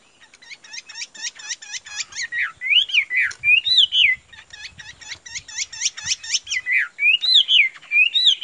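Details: Chinese hwamei kept as a cage bird offered for sale, singing a loud, fast song: rapid runs of sharp repeated chirps alternating with looping rising-and-falling whistles, phrases tumbling on almost without pause.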